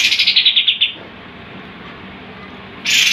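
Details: Tembakan song of a sooty-headed bulbul, a vocal tutor bird: a quick volley of about eight sharp high pulsed notes, a brief quiet gap, then the next loud volley beginning.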